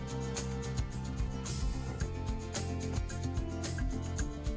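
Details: Instrumental background music with plucked string notes and a steady beat plays throughout, with no animal voices audible.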